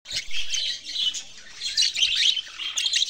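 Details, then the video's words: Budgerigars chirping: dense, continuous high twittering and warbling chatter with quick rising and falling notes overlapping throughout, several birds seemingly calling at once. "Australian parrots sounds chirping"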